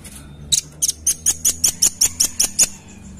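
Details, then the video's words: Red-billed nuthatch call used for luring birds: a rapid, even series of about eleven sharp, high, ringing chip notes, roughly six per second, over a faint low hum. "Memancing Bunyi Suara Khas Burung Rambatan Paruh Merah"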